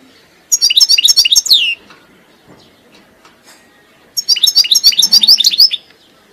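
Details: European goldfinch singing two bursts of rapid, high twittering phrases with descending slurred notes, separated by a few seconds of near silence.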